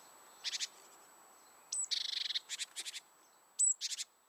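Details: Coal tits at a garden nest box while rearing chicks, late May, give very high, thin, hissing notes in short clusters, a quick buzzy trill and two brief thin whistles against a quiet background.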